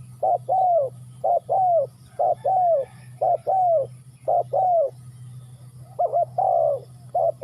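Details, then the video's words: Spotted dove cooing steadily, each phrase a quick double note and then a long descending croo, repeated about once a second throughout, with a constant low droning hum in the background. "Cu gáy Ninh Thuận"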